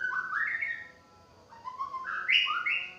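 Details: White-rumped shama singing: two loud whistled phrases of rising, stepped notes, each climbing from low to high and sliding, with a brief pause between phrases and a clean background.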